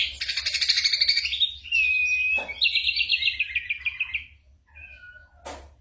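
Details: Ashy drongo song packed with imitations of other birds and gunshots, kept for tutoring songbirds; a buzzy pulsed trill, then a clear steady whistle, a descending rattling series, soft whistles and two sharp clicks.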